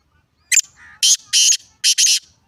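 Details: Black francolin, a sharp introductory note and a soft low buzz, then four loud rasping bursts, the last two run closely together, over a quiet background.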